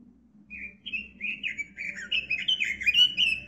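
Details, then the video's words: Robin delivering a continuous chattering warble of quick, bouncing whistled notes that grow louder, above a low droning hum. Used as a tutor song for cage birds. "Suara Kicau Burung Robin Masteran Gacor"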